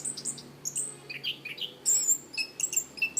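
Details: Orange-banded thrush, a favoured cage songbird from Southeast Asian forests, in a training recording: high, thin, squeaky notes mixed with lower whistles, grouped in fast clusters, with a louder burst of very high notes in the middle.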